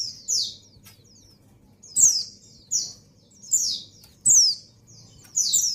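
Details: High-pitched downslurred chirps from a female white-eye in breeding condition calling to a male, given singly or doubled about every second, with some clicks and a soft low hum behind.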